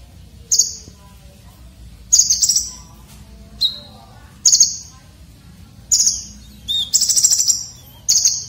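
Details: Red-breasted konin with a sharp, rough filler song suited to training competition birds. Separate high buzzy trills arrive every second or two, with an occasional lower whistle, over a quiet background.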